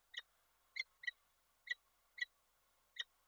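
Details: Nest-camera sound from Koszalin on 28 January 2024: a female peregrine falcon, visited by the male, utters six clipped, bright calls at irregular intervals of about half a second, faint hum underneath.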